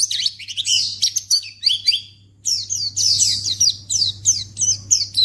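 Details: White-eye (pleci) lure sound for prompting a quick reply from other white-eyes: dense high twitters and chips for two seconds, a short pause, then renewed rapid chattering phrases, over a low droning hum.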